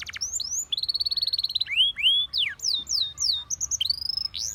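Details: Song of a Spanish Timbrado canary for training: a sustained trilled note, then a series of sweeping slurred whistles and short bright level notes.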